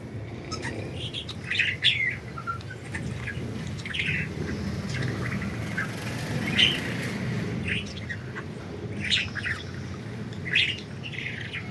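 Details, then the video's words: Pet budgerigars enjoying freedom utter scattered harsh squawks and short chirps every second or so over a steady low rumble, with slightly louder bursts near two, seven and eleven seconds. "Budgies Enjoying Freedom and Chirping"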